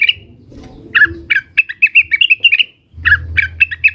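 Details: Agitated leafbird (cucak wilis) calling rivals, giving quick runs of sharp chirps and clear whistled notes, a brief pause, then another fast burst, with low rumbling noise underneath.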